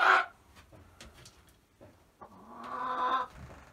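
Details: Chickens in a coop getting used to new nesting boxes, some laying eggs in other spots: a sharp squawk at the start, quiet scattered sounds, then a drawn-out, wavering hen note near the end.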